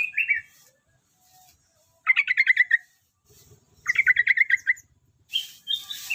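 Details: Javan yellow-vented bulbul, a prospective contest champion, sings short rapid stuttering phrases of bright chattering notes, with a brief whistled note at the start and a higher twittering sound at the end.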